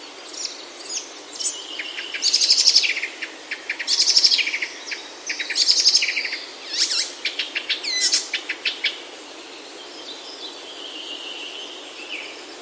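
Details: Oak forest birdsong from the Himalayan hills of Himachal, India. Loud bursts of rapid clicking chirps arrive roughly every one and a half seconds. A string of quick staccato notes follows, then a softer thin whistle near the end.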